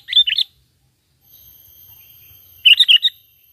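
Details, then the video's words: Natural sooty-headed bulbul call without mimicked fill-ins, meant as a trapping lure: two bright, bubbling phrases of rapid warbled notes separated by about two seconds of near silence. "Pikat Burung Kutilang ISTIMEWA Full Gacor,Panggilan Alami Tanpa Isian"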